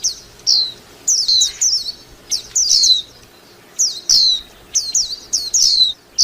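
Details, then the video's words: High, thin, falling chirps from a white-eye, given in quick pairs and triplets with short gaps, steady and bright against a quiet background. "tiếng chim vành khuyên hót líu lo"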